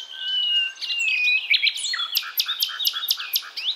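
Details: Nightingale, described as a female calling a male and used as a lure call, from Javan forest: varied high whistles and slurred notes, then a quick run of six rounded, lower notes, about five per second.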